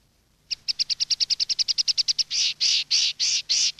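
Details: Countryside-style common linnet song for teaching young birds: after a brief silence, a quick run of about fifteen sharp high chirps gives way to six drawn-out, rich buzzy notes spaced evenly.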